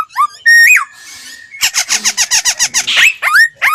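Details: Laughingthrush lure song for voice training: rising whistled slurs, a hissy burst, then a fast run of about fifteen clipped buzzy notes and more upward whistles, indoors.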